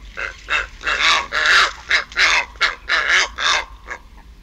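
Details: Purple heron pair calling together at the nest: a rapid series of about ten harsh, throaty, barking croaks, each roughly a third of a second long, delivered in a rough, uneven rhythm.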